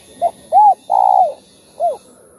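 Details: Spotted dove giving a full cooing phrase (thúc, gù and calling coo styles), used to fire up other doves: a short soft note, a rounded coo, a long purring coo sliding down, then a final shorter coo.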